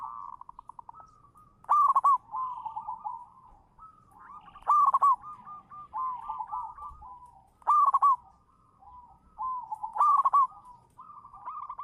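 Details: Local zebra dove, champion lure, singing manggung: four loud crackly rolled coos spaced nearly three seconds apart, each trailed by softer quick wavering coo phrases.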